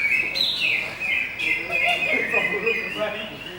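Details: Greater green leafbird singing a steady stream of high, bright whistled phrases broken by quick chattering trills, with a man talking and general chatter in the background.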